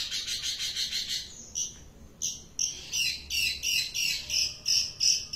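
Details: Long-tailed shrike song of repeated harsh, buzzy notes with high squeaky tones, delivered in rhythmic bursts several times a second, pausing briefly before a run of sharper whistled squeaks.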